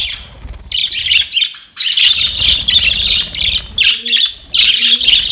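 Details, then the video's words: Budgies chattering to one another in loud, continuous scratchy warbling, steady high twittering broken by a few brief gaps, with faint low whistled notes underneath. "Budgies talking to each other"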